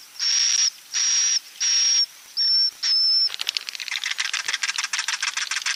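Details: Swiftlet roosting call used as a lure: five long hissy buzz notes with a whistled tone, then a sudden switch to rapid, crackling chatter of quick high clicks.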